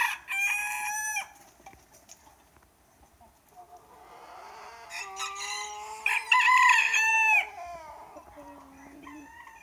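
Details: Morning crowing from a group of roosters calling non stop. Several loud harmonic crows overlap, with a long drawn-out crow in the middle, and quieter, more distant crowing answers in between.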